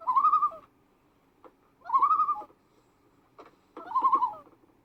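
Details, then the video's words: ['Common loon mother calling while with her chick: three drawn-out, mellow wailing notes, each about half a second, spaced roughly two seconds apart, with faint soft background noise.'] "momma Loon makes amazing sound"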